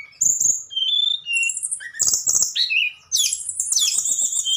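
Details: Tledekan singing in the flute-like nyuling style: varied clear whistled notes, some steady and some sliding down, in quick bursts with short pauses between phrases.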